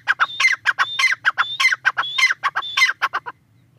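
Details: Partridge (tetar) call series: harsh, clucking syllables alternate with high, rising whistled notes in quick, regular phrases. After about three and a half seconds the calling stops, leaving near silence.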